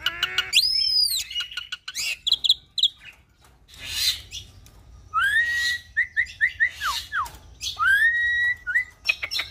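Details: Hybrid of Nias hill myna and Asian pied starling in full, varied song for training cage birds. A loud high whistle opens, scratchy chatter follows, then a run of rising whistles and quick downslurred notes repeated in short series.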